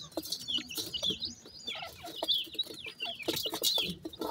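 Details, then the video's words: Dakhni teetar (francolin) chicks happily feeding, giving many high, thin peeping cheeps with short downward slurs, overlapping in a busy chorus with soft pecking and clicking sounds. "dakhni teetar chicks are happily feeding,cute pheasant babies"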